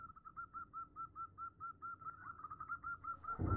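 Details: A female zebra dove calls for the male with an even series of soft purring coos, around four per second, sounding slightly distant, cut off by a sudden loud rustling noise at the end.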